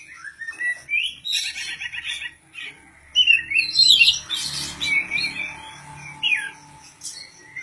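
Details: Caged oriental magpie-robin prepared for an Indonesian singing contest, varied material: scattered whistles and rapid trills, then loud harsh scratchy bursts in the middle, followed by clear whistled notes and a short high flourish, faint hum underneath.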